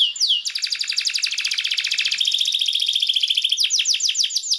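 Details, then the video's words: Training song of a Belgian canary, used to encourage canaries to sing: one quick downward sweep, then a long rapid buzzy trill lasting about three seconds, closing with slower falling whistled notes. "CANTO PARA ESTIMULAR CANÁRIO BELGA A CANTAR - Canto de Canário Belga"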